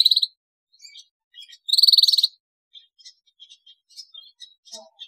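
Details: Canary in energetic song, recorded to get other canaries singing. A short burst and then a longer rapid buzzy trill, followed by many soft, high, scattered chips.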